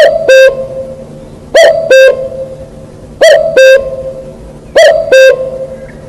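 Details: Wild cuckoo calling a steady series of clear two-note phrases. Each pair drops from a higher note to a lower one, and the pairs come roughly every one and a half seconds against a quiet background.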